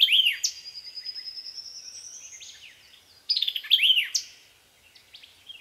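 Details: White-eyed vireo in song at Land Between the Lakes, Kentucky, 2010. It gives two snappy, explosive phrases of sharp, jumbled notes about three seconds apart, with a long, thin, rising whistle from another bird running between them.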